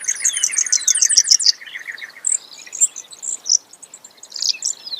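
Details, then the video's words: Brewer's sparrow giving high, rapid trills that shift in pitch, a descending run of chips at first, then scattered buzzy phrases with short gaps; no other sounds. "Brewers Sparrow Sound, Bird Call"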